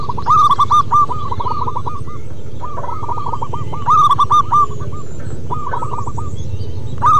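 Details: Active local wild zebra dove song: a rolling series of fast, bubbling coos at the start and again near four seconds, with further cooing runs throughout and a heavy low rumble.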